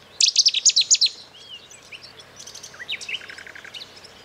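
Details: European goldfinch on Lesbos, Greece, at Eastriver by Skala Kaloni in May, giving a quick run of bright, high tinkling notes, then softer twitters and a rapid buzzy trill of repeated notes toward the end.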